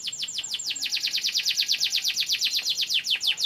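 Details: Champion canary, a bird kept in Indonesia and said to descend from wild Canary Islands stock, delivering a rapid trill of high downward-sweeping notes repeated around eight times per second, steady and unbroken throughout.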